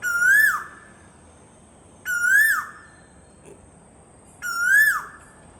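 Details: An Asian koel (Eudynamys scolopaceus) gives three loud, ringing 'koo-oo' notes, each rising then dropping, about every two seconds over a faint, steady, high whine.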